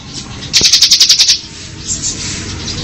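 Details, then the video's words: A single short, rapidly pulsed high buzzy trill of under a second from a bar-winged prinia singing ngebren, followed by quiet hiss. "Suara Burung Ciblek Ngebren"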